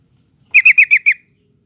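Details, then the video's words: Yellow-vented bulbul, played as a lure to prompt caged birds to sing: one quick burst of five sharp, bright chirps in under a second, evenly spaced and slightly falling, on a silent background. "kicau burung trucukan"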